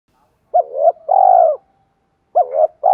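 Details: Deep-voiced 'thổ' style spotted dove used as a lure gives a mellow double note and a long sustained coo. A second phrase starts soon after, and the clip cuts off as it repeats.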